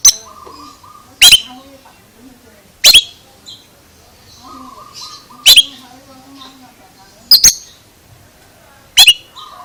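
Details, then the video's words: Oriental magpie-robin with odd, abrupt high chips, single or paired, spaced every one to two seconds, over a soft continuous hum and faint background murmur. "Suara ANEH Kacer ini Bikin HERAN"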